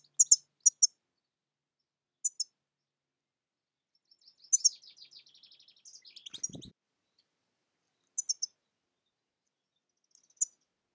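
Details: European goldfinch giving a soft run of quick, high twittering notes amid sharp, very high paired ticks repeated at intervals, with a dull thump near the end.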